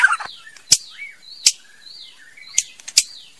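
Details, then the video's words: Female white-rumped shama singing: clear whistled notes rising and falling, short slurred phrases separated by sharp loud clicks repeated about every three-quarters of a second. "TIẾNG CHÒE LỬA MÁI HÓT CHUẨN MỚI NHẤT"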